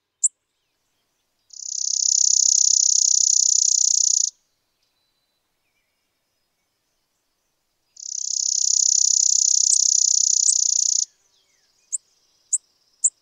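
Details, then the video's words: Spizella sparrow, an American sparrow of semi-open areas, giving two long, even, buzzy trills of about three seconds each, separated by a pause, followed by a few sharp high chip notes. "Sounds of Spizella, Sounds of the Common Sparrow Bunting"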